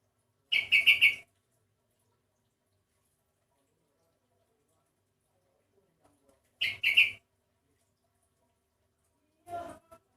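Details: Sooty-headed bulbul singing with an unusual voice, unlike typical birds of its kind: two short harsh, buzzy bursts of rapid notes about six seconds apart, then a fainter, lower call at the end, in otherwise quiet surroundings.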